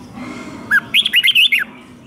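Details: Red-whiskered bulbul in captivity gives a single fighting-song phrase: a low introductory whistle followed by five or six rapid, looping, bright notes, ending with a falling slur.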